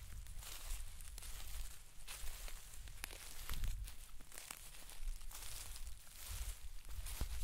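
Quiet outdoor rustling and crackling, like footsteps and leaves, over a low rumble, without any animal call.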